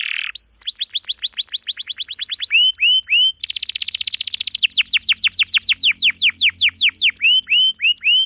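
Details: Canary singing long rolls of rapid falling whistles interspersed with rising upslurred notes and a dense buzzy passage, used to train young canaries or those that have gone quiet.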